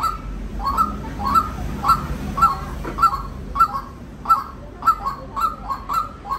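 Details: A white-breasted waterhen repeats sharp, ringing notes at a brisk, fairly even pace of close to two per second, with low background noise.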